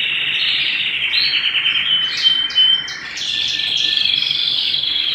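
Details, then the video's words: Canary singing at home: a continuous bright, high warbling song with rapid trills and buzzy rolls, one sustained whistled note near the middle, steady throughout with no other clear sounds. "canary singing at home"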